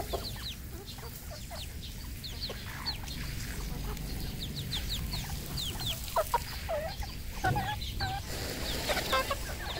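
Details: Farmed red junglefowl in Cambodia make a busy stream of short, sharp chirps and clucks that grow louder and denser toward the end, with a low background rumble.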